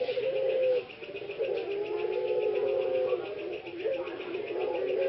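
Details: Ringneck dove (puter pelung), one of three productive males from a breeding farm in Solo, Central Java, Indonesia, recovering a slightly hoarse voice after long caging: long, level, drawn-out coo notes that break and resume, over a steady high pulsing hum.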